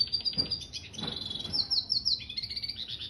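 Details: Red siskin mule, a finch hybrid, singing energetically: high thin twittering phrases with a few brief sliding notes and rapid trills, over faint low background noise.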